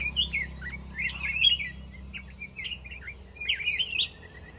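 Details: Black-crested bulbul giving lively, slurred whistled phrases, rising and falling, in several quick clusters over a low background hum.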